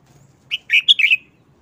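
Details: Short wild-style song of a red-whiskered bulbul: a single clear note, then a rapid cluster of bright, liquid warbled whistles, all within about a second.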